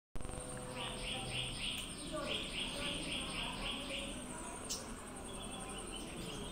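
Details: Purple sunbird (Cinnyris asiaticus) giving two quick runs of high, thin chipping calls, five or six notes each, over a steady high insect-like hiss and low rumble; Palakkad, Kerala, India.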